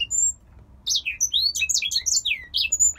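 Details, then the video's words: Captive male grey singer finch from Poland gives a thin high whistle, a brief pause, then a burst of quick chirpy slurred notes and sweeping whistles lasting about two seconds. "Grey Singer Finch IRL 4- song beat."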